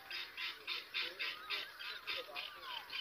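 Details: Common myna chicks, recently hatched, being fed by their mother; rapid harsh chirping bursts repeated about three or four times a second, steady and insistent, with a few thin whistled notes underneath.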